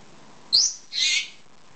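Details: Female pet lovebird, two years old, asking to have her head scratched: a shrill rising squeak followed at once by a harsher, broader screech.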